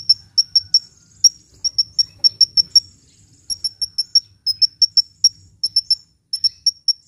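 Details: Lively sunbird song for luring birds and getting lazy birds to sing: a steady run of sharp, high, thin tsip notes repeated several times a second, broken by brief pauses.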